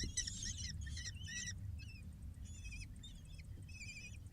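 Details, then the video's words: Falcon chicks, six in the brood, begging while being fed on a live nest cam: bursts of scratchy, wavering screeches in clusters, with a brief lull midway and a low hum underneath. "6 falcon babies get fed"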